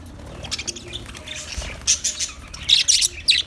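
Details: Budgerigar chirping, recorded 14 March 2024: soft scattered ticks at first, then a quick series of sharp, bright chirps and squeaks growing louder toward the end.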